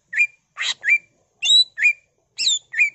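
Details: Brisk greater green leafbird song full of imitated phrases, meant to set other leafbirds singing; short rising whistles alternate with a harsh buzzy note and bright higher slurs, roughly one note per third of a second.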